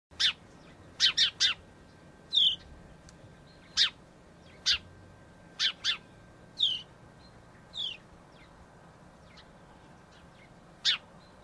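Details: One of a pair of house sparrows nesting in a nest box installed on an urban weatherboard house gives about a dozen short, bright chirps, some in quick pairs or triplets, at an uneven pace against a quiet background.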